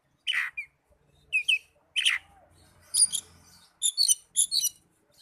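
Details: Oriental magpie-robin song used as therapy for young or silent kept birds: separate loud chirps, then rapid high twittering notes in a quick run, on a quiet background.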